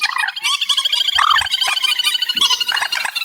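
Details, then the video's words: Reed warbler singing in an amplified recording: a dense, harsh, chattering run of rapid churring and scratchy notes with brief higher whistled accents, continuous throughout. "Tiếng Chim Trích Ré 2024 Bản Tăng Âm"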